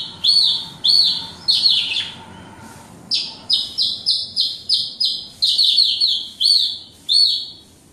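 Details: Caged Horsfield's bush lark of the Wates type, in full vigorous song: bright arched whistled notes repeated in quick runs, broken by a few buzzy rasping bursts and a short pause midway, over faint low background hiss.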